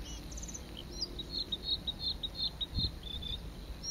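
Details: Bluethroat (Luscinia svecica) song, recorded at Saint Etienne de Montluc, France, in April 2017: a quick, varied run of high, ringing and chinking notes, about three a second, over steady background hiss and one low thump.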